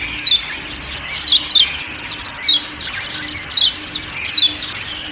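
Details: Kecial kuning white-eye from Lombok giving its 'ciak ciak' call over forest sounds: short, sharp, high chirps sliding downward, singly or in quick pairs, spaced about a second apart, with a steady low hum beneath.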